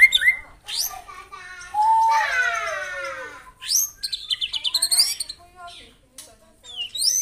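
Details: White-rumped shama in morning song aimed at provoking rivals: a short whistle, then a long, buzzy, wavering phrase sliding downward, followed by a quick stuttering series of bright notes and sharp high upsweeps.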